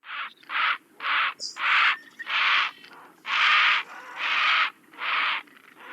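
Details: Great blue heron (Ardea herodias) in Vermont giving a series of eight harsh, broad, raspy squawks or croaks, each about half a second long, irregularly spaced over six seconds.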